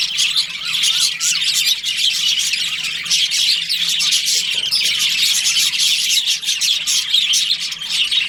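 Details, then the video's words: Many budgerigars chattering together in a breeding colony in breeding season; shrill overlapping chirps and warbles run without a break, with a few short wavering whistles standing out. "Cute budgies chirping sounds"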